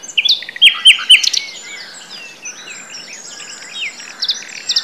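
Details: In late-spring breeding season at Woods Mill nature reserve, Sussex, a Common nightingale (Luscinia megarhynchos) sings a burst of loud, rich repeated notes, then a fast, varied run of whistles, trills and clicks, high and full.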